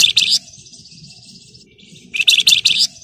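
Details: Flamboyan in rapid ngebren song for provoking other birds to sing: a short burst of loud, harsh high notes, a long thin buzzy trill, then another dense burst of rapid notes.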